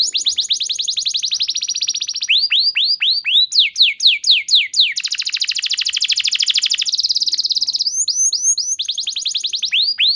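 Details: Training lure song from a canary singing 'gacor nembak panjang': long unbroken rolling trills alternate with series of loud falling whistles, a very fast buzzy rattle filling the middle, continuous and energetic.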